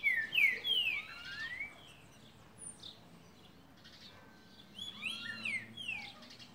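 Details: Green-winged saltator, called trinca-ferro boi, singing loud, clear whistled phrases with rich, sliding notes in a burst at the start, a quieter gap, then another whistled phrase near the end.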